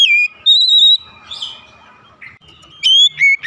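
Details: Oriental magpie-robin singing in the morning: loud clear whistled notes, a long level whistle then sliding high phrases separated by quiet gaps, with faint background chatter.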